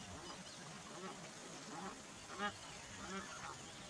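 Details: Migrating bar-headed geese at Kaziranga National Park, northeast India, give nasal, slightly honking calls in short scattered bursts, clearest near the end, over a steady outdoor hiss.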